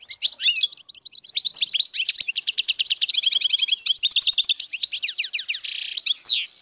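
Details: Many wild European goldfinches in northern Morocco, 2022, singing overlapping rapid twittering phrases that build into a continuous run of bright, clipped notes, ending with a short buzzy burst.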